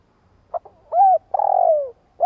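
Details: Long cooing phrase of a spotted dove, the type used to excite decoy birds: a brief low note, a smooth arched coo, then a longer pulsing coo that falls away, with the next phrase starting at the end; otherwise quiet.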